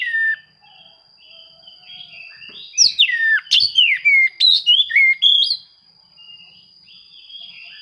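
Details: Oriental magpie-robin searching for rivals, song used to spur quiet birds to sing; soft warbling, then a vigorous stretch of loud descending and rising whistles before fading to quiet chatter, over a constant high hum.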